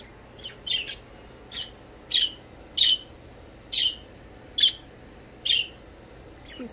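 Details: Pet budgerigars chirping while playing: short sharp high chirps repeated about every three-quarters of a second, clear against a quiet indoor background.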